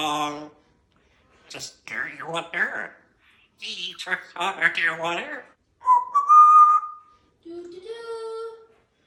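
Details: African grey parrot kept as a talking pet, chattering in speech-like phrases indoors, then holding two steady whistled tones, the second lower, with quiet gaps between.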